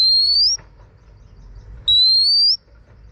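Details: Female Oriental magpie-robin giving pure, rising whistles to stir a male into singing: one long whistle ending at the start, a pause, then a second drawn-out upslurred whistle.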